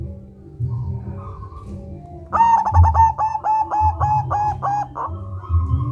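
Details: Local zebra dove singing in the rolling ngerol style, used to lure other doves into singing: after quiet low hum, a quick series of about nine rolling coo notes, then a fading coo over a steady low rumble.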